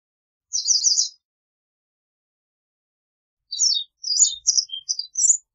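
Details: White wagtail producing a brief rapid twittering burst, then after a silent gap a run of scattered high, thin chirps and tweets at varied pitch.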